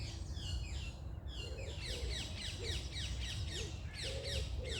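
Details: Birds singing in the morning: busy mix of quick descending chirps and twittering from several birds, with lower buzzy notes and constant low rumble.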